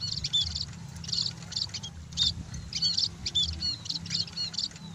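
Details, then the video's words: A sunbathing scaly-breasted munia gives rapid, thin, high-pitched twittering with bright whistled notes in quick clusters, over a low background hum. "BURUNG PEKING BERJEMUR"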